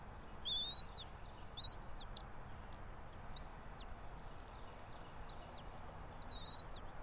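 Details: Bald eagle at a nest atop a pine tree about 90 feet up in Johnson City, Tennessee, home to a local breeding pair, 04.03.2024 at 06:28; five high, thin, chittering call bursts with rising-falling whistled notes, roughly every second, over a soft background hiss.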